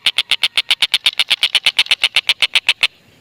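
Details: Stork-billed kingfisher lure recording meant to prompt lovebirds to call: a rapid, even series of around twenty harsh, clipped 'kek' notes, about six per second, ending abruptly.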